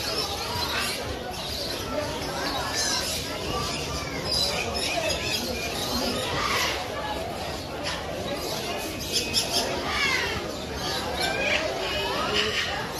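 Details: A dense, continuous din of harsh, screeching calls from a breeding colony of Burrowing Parrots (Patagonian conures), described as the world's largest parrot colony, many birds overlapping over a constant background hiss.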